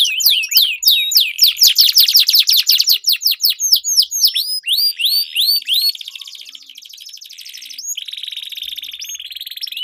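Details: Canaries sing a duel of long rolls as a lure for training competition birds: quick series of hooked whistled notes, then a steady buzzy roll fading softer over the last four seconds.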